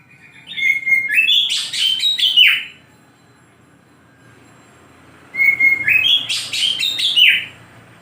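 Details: Oriental magpie-robin in the morning giving two similar loud phrases about five seconds apart, each a bright whistled note running into buzzy, rattling, rising and falling elements.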